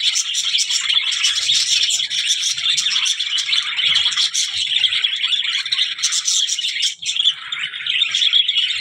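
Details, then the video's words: Continuous budgie flock chatter: a busy mix of bright chirps, squeaky whistles and rasping notes with no pauses, many birds calling at once. "birds voice"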